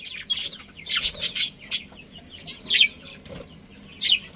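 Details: Budgerigars in a home colony with a breeding pair, giving scattered bright, high chirps and short chattering bursts at irregular intervals over a low background hum.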